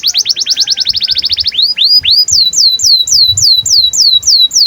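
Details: Canary singing in breeding condition to coax and train young canaries: a very fast high trill, then a few rising swoops, then evenly spaced hooked notes repeated about four times a second.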